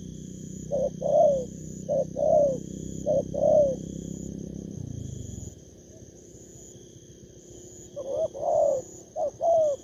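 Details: Wild-caught spotted dove cooing in short two-note phrases, then a pause of several seconds before the coos resume; low rumbling background noise early on and a steady faint whine.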